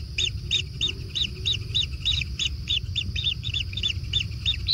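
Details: Kingfisher nestlings being fed, calling in evenly spaced high double-noted chirps about three per second, persistent and regular, with low rumble underneath.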